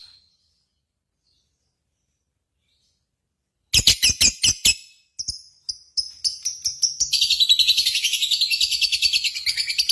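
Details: Lovebird contest simulation used to stimulate singing: silence, then a series of loud harsh chirps building into continuous rapid buzzy chattering.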